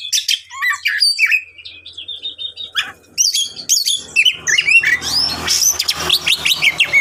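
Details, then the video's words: Champion Oriental magpie-robin (kacer) song for provoking other magpie-robins: varied whistled phrases and chattering notes, with a low hum and rumbling background noise growing in the second half. "Kacer Langsung Konslet dengar Suara Kacer juara ini"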